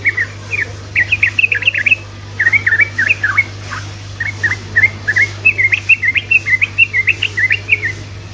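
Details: Sooty-headed bulbul song used to provoke other bulbuls: continuous lively phrases of quick zigzag whistled notes, rising and dropping, with brief gaps between bursts over a steady low hum.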